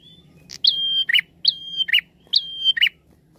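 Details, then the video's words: Three quick prinia phrases, each a sustained high whistle ending in a buzzy, dropping chirp, sung as a lure song over a steady low hum. "Suara Pikat Prenjak Gacor"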